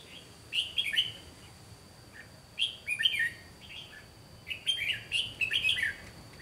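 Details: Red-whiskered bulbul fighting song from a trapping decoy, sung in bursts of rapid bright warbling notes, clustering densely near the end, with a faint steady high whine in the background.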